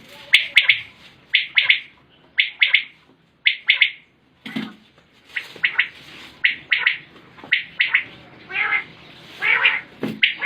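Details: Common quail, known locally as batair, calling in a 2020 recording: sharp three-note phrases repeated about once a second, then looser and a little raspier bursts toward the end.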